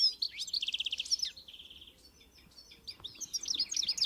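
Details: Carduelis carduelis, the European goldfinch, in encarte song: bright twittering and a run of rapid buzzy repeated notes, a short near-silent pause, then lively chattering phrases resume.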